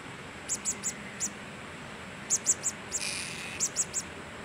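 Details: Blue-crowned hanging parrot (serindit) gives spaced, very high, thin sharp notes in short clusters of three or four, against constant background hiss and a brief broadband rustle.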